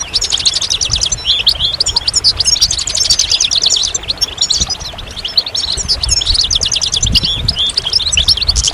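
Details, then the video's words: Goldfinch delivering a sustained, rapid high twittering song of trills and tinkling chirps, with a brief lull midway before the fast phrases resume. "Magical Goldfinch Songs"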